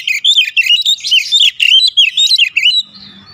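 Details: Oriental magpie-robin song used to stimulate other kacer to sing: a dense, continuous stream of loud, twisting whistles and warbles, quick up-and-down notes nearly every quarter second, ending in a soft trailing whistle.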